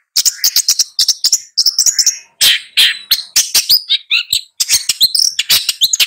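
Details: Long-tailed shrike singing a rapid, varied medley of sharp chirps, whistled slurs and harsh notes in quick bursts, with short pauses between phrases.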